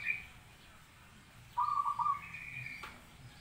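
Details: Zebra dove giving a single tremulous cooing phrase of rapid, buzzy pulsed notes, with a fainter higher overtone, against a quiet low hum.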